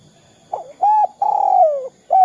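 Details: Spotted dove in the 'kuk 2' call style, used as a lure for other doves: a brief coo, a level hollow note, a long drawn coo falling in pitch, then a final coo starting.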